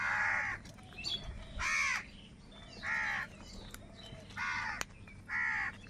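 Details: Crows fighting for food call in loud hoarse caws, single harsh notes spaced about a second apart with quiet gaps, a low background hum throughout.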